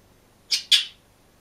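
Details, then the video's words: Lone green budgerigar in its cage gives two quick, bright, harsh chirps in succession, with a quiet room behind. "МИЛЫЙ И ЗАБАВНЫЙ ПОПУГАЙ ПОЕТ И ЧИРИКАЕТ/ОДИН В КЛЕТКЕ"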